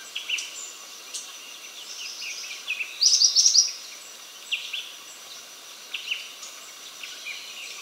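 Bar-winged flycatcher-shrike gives a brief, high, bouncing run of about six quick notes; fainter scattered chirps from other birds and a steady hiss of background noise.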